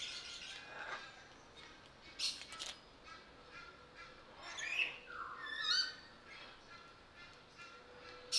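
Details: Sulphur-crested cockatoo at Belgrade Zoo, August 2022, giving a few harsh, raspy squawks, one dropping sharply in pitch, spaced a second or two apart over faint background chatter.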